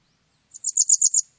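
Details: A Japanese wagtail gives a quick run of about six thin, high, chirping notes in under a second, with a quiet background.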